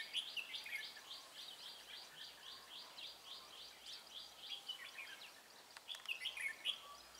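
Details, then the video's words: Decoy red-whiskered bulbul during trapping, 23 March 2018. A long series of fast, evenly spaced high notes runs for several seconds, then louder sharp whistled bulbul phrases close the stretch. "Bẫy chào mào Mí lửa Bắn như AK ché rát"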